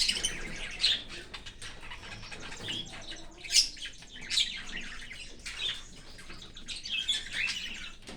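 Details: Cockatiel feeding its baby from outside the nest in an open aviary; quieter rasping calls in scattered bursts, a few sharper peaks standing out, with some faint flutter-like rustling.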